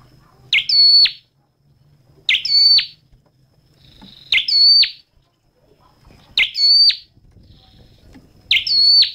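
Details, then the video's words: A flowerpecker with a red head repeats the same piercing high phrase five times, about once every two seconds. Each phrase is a quick rising note, a held ringing tone and a falling tail. A soft low hum runs beneath. "Tiếng chim Sâu Đầu Đỏ hót chuẩn"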